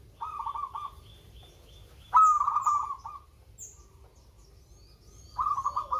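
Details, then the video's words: Sweet-voiced local zebra dove: three runs of fast, bubbling pulsed cooing, the middle one starting on a bright sharp note. Faint high whistles and chirps from other birds are heard between the phrases. "Perkutut LOKAL SUARA MERDU"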